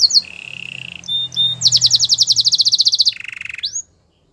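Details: Canary singing for training: a steady low buzz, short clipped notes, a rapid rhythmic trill of about twenty pulses, and a final buzzy tone ending in an upslurred whistle.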